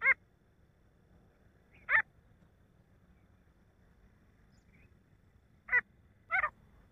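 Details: Male grey francolin giving four loud, harsh, rasping notes at uneven intervals, with a pair close together near the end, over a low background hum.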